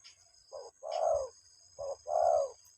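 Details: Spotted dove calling its mate, heard as two short-long coo pairs, the long coos rough and slightly falling, over a low rumbling background and a faint constant high tone.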